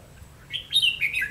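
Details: Red-whiskered bulbul used as a decoy to lure wild birds into a trap, recorded 30 May 2016; a short, clear warbled phrase of rising then falling whistled notes, bright and slurred, over a faint low hum.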